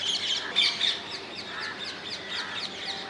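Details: Rose-ringed parakeets in the wild, Netherlands: a run of short sharp downslurred squawks repeated about four per second, with a louder harsh screech near the start, more birds chattering behind.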